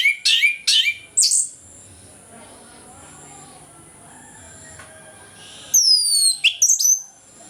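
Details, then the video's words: Orange-headed thrush singing in the morning, a lure to prompt reluctant birds into song: bursts of sharp high whistled and buzzy notes, a quiet gap, then loud descending slurred whistles and chips. "ANIS KEMBANG NGEPLONG PAGI, PANCINGAN AK MALAS BUNYI AGAR GACOR"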